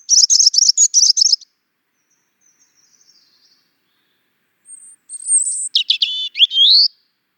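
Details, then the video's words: Two European robin phrases separated by a pause: first a rapid, dense high twitter, then after a quiet gap a thin whistle leading into a sweeping warbled flourish that rises sharply. "European Robin - Songs"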